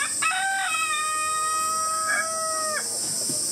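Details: A Silkie (silky fowl) rooster at Ichihara Elephant Kingdom, Chiba, Japan, on 4 August 2018, gives one crow: a short rising start, then a long sustained harmonic note that drops off at the end, over steady background hiss.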